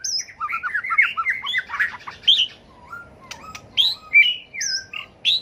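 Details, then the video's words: Competitive fighting song of a White-rumped shama, tail-flicking, used to train birds to sing: busy jumble of warbled and squeaky notes, then a quieter gap, then spaced clear whistles and upslurred phrases. "chòe lửa tạch đuôi hót đấu kích chim cực đỉnh, luyện chim hót đấu hay"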